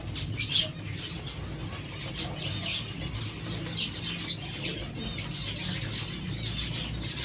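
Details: Zebra finches eating seeds, giving short high chirps in scattered bursts, several close together, over a steady low hum and busy background chatter of many birds.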